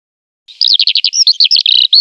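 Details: Eurasian skylark song: a fast unbroken stream of high liquid trilled and chirping notes, rapidly repeated, starting after a brief silence.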